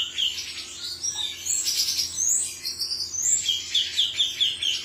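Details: Male cucak cungkok singing: rapid high chirps and short whistled notes in busy, overlapping phrases, with a steady faint hum beneath.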